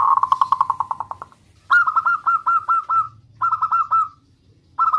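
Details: Local zebra dove in full song, calling a rival to provoke an answer: a rapid stuttering trill of low cooing notes, then repeated soft rolling coos in short phrases.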